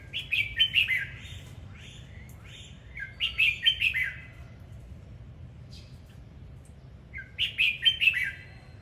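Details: A singing, dancing red-whiskered bulbul delivers three short cheerful phrases of slurred whistles, roughly every three to four seconds, with soft single notes between them.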